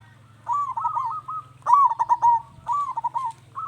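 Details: Zebra dove singing to draw answers from other doves: three rapid, warbling cooing phrases, each a quick run of short rolled notes around one pitch, about a second apart, over a steady low hum.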